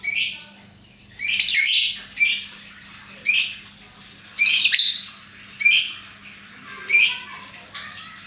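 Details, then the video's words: Lovebird calling with a series of shrill, harsh squawks, roughly one each second, some doubled, in a quiet room. "Bagaimana cara agar Love Bird mau Ngekek"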